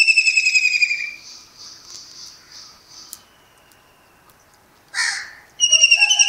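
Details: Early-morning kingfisher in Pakistan sitting and calling: a fast, pulsed whistled trill sliding slightly downward, fading into softer repeated notes, a brief rustling burst, then the loud rapid whistled series again.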